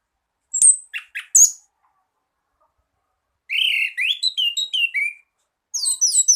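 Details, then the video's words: Orange-headed thrush tutoring song for a bird slow to sing: a few sharp high notes, a pause, then a run of bright, slurred whistles stepping downward, ending in a burst of high twittering. "Masteran anis kembang malas bunyi"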